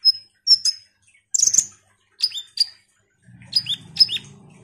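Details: Ruby-cheeked sunbird heard as a lure to make other sunbirds sing: scattered high, thin whistles and sharp chirps, with a low buzzing hum near the end.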